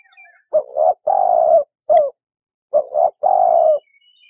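A dove gives low, hollow coos in a two-part phrase, a short double note then a longer drawn note, repeated twice; faint chirps of other birds behind.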